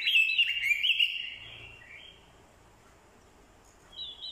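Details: Orange-headed thrush used as a decoy, singing a fighting song in response to a female: one loud, warbled phrase falling in pitch over about two seconds, then near silence before a brief high note at the end.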